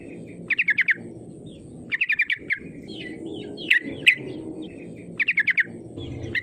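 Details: Sooty-headed bulbul call used to lure rivals into singing: repeated bursts of four or five quick bright chattering notes about every two seconds, with soft whistled notes between and low background hum.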